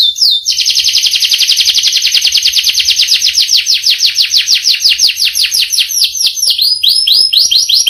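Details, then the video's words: Canary in a rich, long rolling song: a sustained run of rapid, high, descending notes that slow into separate swooping whistles near the end. "Burung kenari gacor ngerol panjang"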